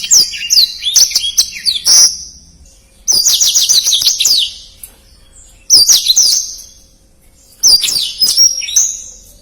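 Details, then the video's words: Black-throated canary in fast, dense song, used as tutor recording for contest birds: four bursts of rapid high-pitched twittering with slurred whistles, each lasting one to two seconds, separated by short quiet gaps. "Suara Blackthroat Gacor Speed Rapat"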